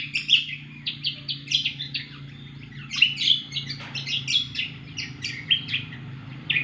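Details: Cucak kombo singing hard: continuous rapid chirping, sharp high notes delivered in dense rhythmic bursts, barely pausing, above a faint low hum.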